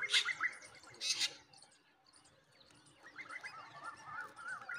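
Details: Two loud, harsh, raspy bursts about a second apart, then softer wavering squeaky calls as myna chicks beg while their parent feeds them.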